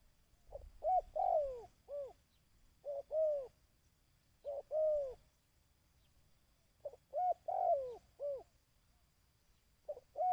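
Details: Dove call played to excite and train decoy birds: a series of cooing phrases, each opening with short clipped notes and swelling into a hoarse, falling coo, with gaps of a second or more between phrases.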